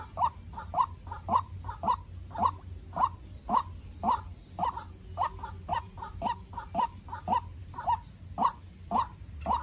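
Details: Young decoy White-breasted waterhen facing a wild rival in a heated fight. It repeats short, mid-pitched notes at a fast, even pace, some doubled, over a soft low hum.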